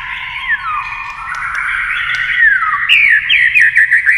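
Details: Singing in competition against a TV, a white-rumped shama flicks its tail and sings a long sustained warble with gliding falling whistles, ending in quick bouncing looped notes repeated several times.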